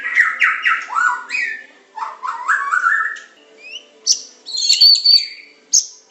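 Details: White-rumped shama of the Medan type, a training song with pancingan, tembakan and isian styles: loud descending slurred phrases in quick runs, then a pause and high sharp whistled notes with a brief trill.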